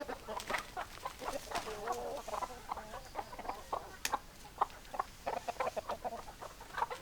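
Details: Flock of hens clucking: dense, overlapping short clucks and cackles from many birds, with steady background hiss.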